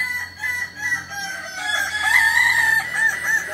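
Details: Kukuak Balenggek rooster, a village chicken breed endemic to Tigo Lurah in Solok regency, West Sumatra, giving its stepped multi-level crow: harmonic notes rising and falling through successive levels, the later steps louder and more sustained.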